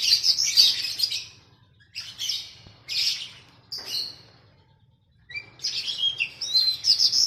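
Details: Loud scratchy and whistled song phrases in four separate bursts with clear pauses, from a training track for a kept oriental magpie-robin matched against a sooty-headed bulbul.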